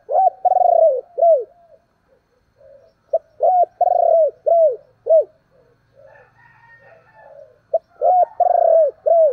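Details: Spotted dove kept as a decoy, giving thúc and calling coos to lure wild doves: repeated low, hooting phrases of rounded and quavering coos with falling ends, several phrases in quick succession, faint soft notes between.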